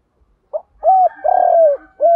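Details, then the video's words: Luring coo of a decoy spotted dove: a short pip, then a rounded coo, a long vibrating coo and a final arched coo in a single low, mellow phrase. "tiếng chim cu mồi gáy gọi bổi nhanh nổi [ tiếng thúc, gáy gọi ] chim cu cườm gáy gọi & thúc"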